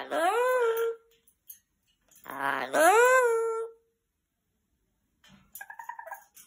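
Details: A pet Amazon parrot, prompted with "say hello", says "hello" twice in a clear, rising-then-falling human-like voice, followed by faint rustling and a brief chattery sound.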